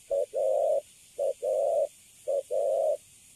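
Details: Spotted dove of the Cấn Sấm kind, newly caught and caged, sings a clean cooing series. A quick note then a long mellow one, repeated three times at an even pace in a quiet setting.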